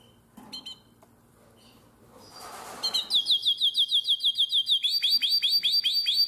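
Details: Nightingale-voiced canary in Drama, 2017: after quiet clicks and a rustle, a loud, steady run of high piping notes repeated several times a second, continuing evenly to the end.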